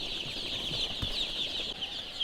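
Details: A dense, continuous chorus of high, shrill peeping from many four-day-old brooding chicks on a poultry farm, calling from hunger and pecking at sawdust, with faint handling knocks and room noise beneath.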